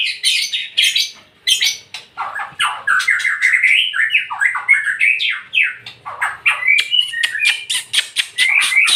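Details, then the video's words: White-rumped shama, locally murai batu, in loud continuous song: a dense stream of varied whistles, harsh chattering notes and sweeping slurred phrases with hardly a pause. "MURAI BATU VOLUME TEMBUS"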